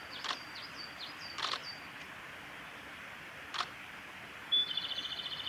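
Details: Male Japanese robin at Yanagisawa Pass on 28 April 2019. A faint, high series of downslurred notes from another bird and a few sharp clicks come first, then the robin bursts into a loud, rapid rattling trill at the end.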